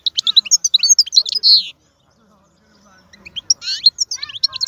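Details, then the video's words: Wild European goldfinch from Algeria singing: rapid twittering high notes and liquid trills, a buzzy drawn-out note near the end of the first burst, then a pause of over a second before renewed fast twittering. "تغريد الحسون خلوي ممتاز"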